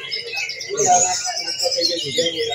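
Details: A greater green leafbird at a songbird contest, where it took first place, sings a rapid, busy run of high chirps and whistled phrases, mixed with other birds and crowd voices.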